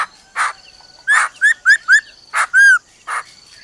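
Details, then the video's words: Female laughingthrush calling "ro ro" to stir up a male: short rising whistled notes and brief harsh bursts in quick succession, with a faint steady high tone running behind. "Khướu mái ro ro kích trống"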